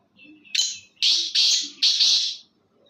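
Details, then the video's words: A black francolin, locally called Kala Teetar, gives a harsh, grating call of four rasping notes, the last three long and evenly spaced, in a quiet setting. "Kala Teetar ki awaz"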